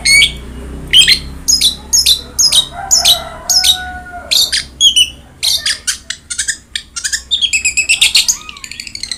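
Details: Long-tailed shrike, an energetic singer used as a model to coax a silent captive bird: rapid, scratchy chattering notes speeding into dense, buzzy bursts, with softer whistled tones underneath early on.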